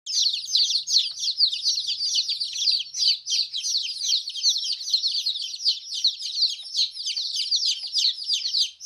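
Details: Newly hatched colourful hen chicks on a farm chirping: a dense, continuous chorus of high, short peeping notes overlapping rapidly, several chicks calling at once with no pauses.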